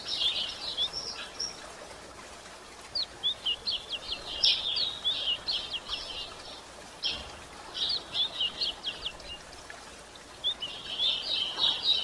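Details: Calling female white-throated seedeater, meant to stimulate males; quick high-pitched chirp series broken by silent gaps, one sharper accented note midway, with a soft hiss behind.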